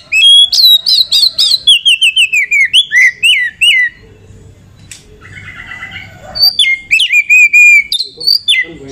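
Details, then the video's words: Female Oriental magpie-robin lure song to boost other magpie-robins' eagerness: a fast stream of loud, sharply slurred whistles, a short quieter pause with soft chatter, then further bright rolling whistled phrases. "KACER EMOSI TINGGI || Pancingan Kacer agar Emosi buat Dongkrak emosi kacer yang kurang sumringah"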